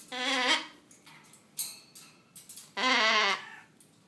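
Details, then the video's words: Triton cockatoo kept as a pet, excited after its shower. Two loud, raspy screeches bracket a few softer squawks and clicks, and the final cry is the longest. "Triton Cockatoo :) - Crazy Chicken Style"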